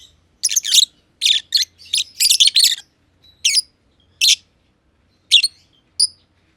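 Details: Pair of aviary lovebirds, green personata and green pied personata, chirping in harsh high bursts early on, then single spaced chirps, over a faint low hum.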